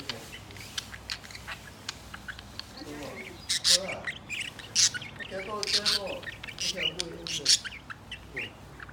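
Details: A yawning cockatiel gives harsh, nasal squawks among the rapid high chirps and chatter of an irritating budgie companion.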